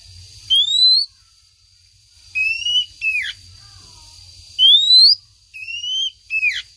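Oriental magpie-robin female calling the male: clear, high, rising whistles in short bursts of two or three notes, about every two seconds, over a faint steady hum.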